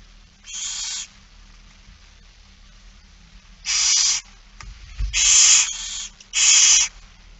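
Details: Barn owls calling at feeding time, Friesland, September 2019: four rough hissing screeches, the last two close together, with a soft low thump in between.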